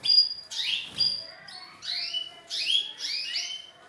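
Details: Male canary stimulating a female toward mating posture, singing short clusters of high upslurred whistles and chirps in quick succession.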